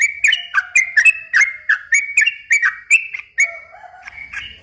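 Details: Yellow-vented bulbul singing long, rapid phrases as a lure to stir young birds. Snappy whistled notes run for about three seconds, then give way to a softer, lower, wavering whistle and a quieter closing note.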